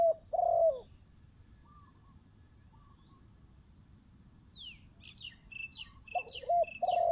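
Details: Zebra dove used as a decoy bird coos loudly, a short note then a longer falling coo. Another bird's rapid high chirps cut in near the end, before the dove coos again.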